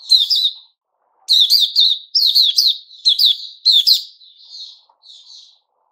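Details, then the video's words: White-rumped shama called Puteh Raja, 29 August 2021, delivering five loud clusters of bright, ringing notes separated by short pauses, trailing off into two soft, quiet warbles. "Puteh Raja Sing Buka"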